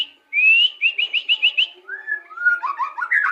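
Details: Indonesian white-rumped shama song: a rising whistle followed by a rapid series of six upslurred whistled notes, then lower descending whistles and tumbling chirps.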